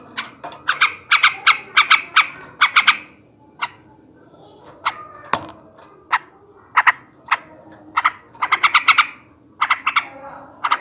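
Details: Male sooty-headed bulbul in ngebrem ngekek style, used to stir breeding drive: bursts of rapid harsh chattering notes, several short runs separated by brief quiet pauses, with a faint low hum beneath.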